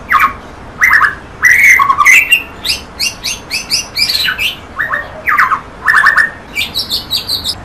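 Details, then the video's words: White-rumped shama in full song: loud chattering bursts and rich whistles alternating with a rapid series of thin high notes, then stuttered trills and a closing burst of high tinkling notes. "Kompilasi Kicau Burung Murai Batu"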